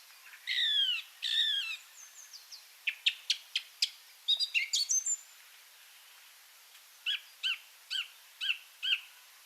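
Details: Song Thrush singing short, shrill, piercing phrases, many repeated: a doubled rising-falling whistle, sharp clicky notes, then one phrase repeated five times; less fluty than a blackbird, a song heard in Irish gardens and parks in spring.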